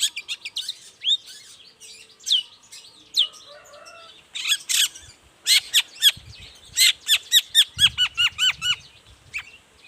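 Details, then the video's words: Morning lure song of a long-tailed shrike to make other shrikes reply. Scratchy phrases and downslurred notes build into a rapid series of sharp, repeated descending chips, with soft low thumps in the background. "toet toet Suara cendet gacor Pagi Hari pancingan jitu BIKIN cendet diam langsung nyaut ikutan bunyi"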